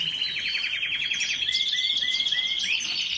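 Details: Canary song recorded on 1 April 2021: a rapid trill of repeated notes, then a series of short rising whistles, over a steady high hiss and background noise.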